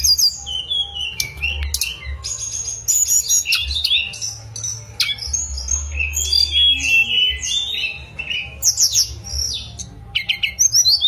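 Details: A mangrove blue flycatcher delivers a chattering, varied song of harsh squeaky notes, quick trills and high whistled slurs, rich in rapid changes, over a persistent low hum.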